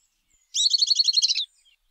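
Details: Southern beardless tyrannulet song: one fast, chattering trill of roughly a dozen high, buzzy notes, close and clear, lasting about one second against a silent background.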